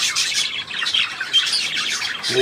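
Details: Rapid, high budgerigar chattering recorded 3 April 2017: scratchy chirps and squeaks throughout, ending with a brief lower harmonic sound.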